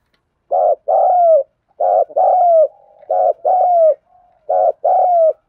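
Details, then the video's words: Spotted dove in thúc gù cooing, four phrases in steady succession, each a short pulsing note followed by a longer gliding coo, with quiet low hums in some gaps. "Tiếng chim cu gáy thúc gù cực đỉnh"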